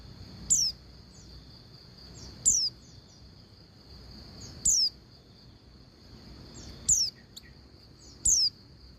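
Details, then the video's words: Female Oriental white-eye calling to a male: thin, high, sharply falling notes, each short, repeated about every two seconds, five in all, over a steady high-pitched whine and faint low background hum. "Suara Pleci Betina Paling Efektif Bikin Pleci Jantan Cepat Bunyi Dan Buka Paruh"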